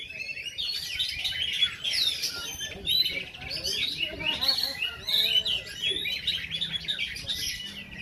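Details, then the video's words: Kacer, Oriental magpie-robin, in a weekly practice song contest in Takengon, Aceh, Indonesia: busy, high, rapidly shifting chirps and trills, overlapping singers, faint crowd murmur beneath. "KACER TAKENGON"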